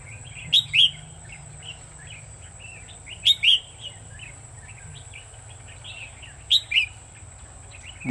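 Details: Red-whiskered Bulbul heard during decoy trapping, 1 October 2019: a loud, bright two-part whistled phrase repeated three times about every three seconds, with softer chattering notes between, and low rumble underneath.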